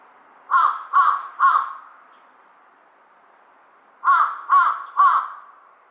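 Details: Harsh cawing of a large-billed crow in two bursts of three loud, rasping caws each, spaced about half a second apart, separated by a silent gap of roughly two seconds.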